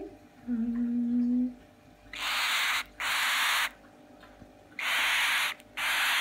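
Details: Diesel, a 10-day-old cockatiel chick, gives harsh, hissing begging rasps in short repeated bursts, on 21 November 2017.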